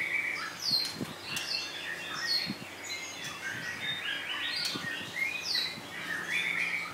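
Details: Pair of female white-rumped shamas in captivity after completing their molt, not yet in form: quieter run of high chirps and brief whistled phrases, some rising, mixed with soft ticking notes and faint low knocks.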